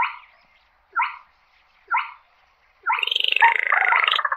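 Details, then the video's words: Slaty-breasted rail calling its flock with three short sharp downslurred notes about a second apart, then a loud grating pulsed rattle that runs to the end, with no other sounds. "Tiếng Chim Gõ Ghẽ Gọi Bầy"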